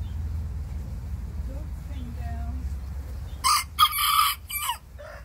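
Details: Bantam roosters answering a big rooster next door, sassing back. Quiet low background, then a loud, hoarse, harmonic cock-a-doodle-doo in several broken syllables lasting about a second and a half, followed by a short trailing note.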